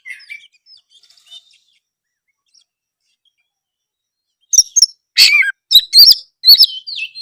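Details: Oriental magpie-robin (kacer) in full loud song, used to prompt a sluggish, silent magpie-robin to answer; soft faint twitters, a long quiet pause, then a burst of sharp, loud chirps and clipped whistled phrases.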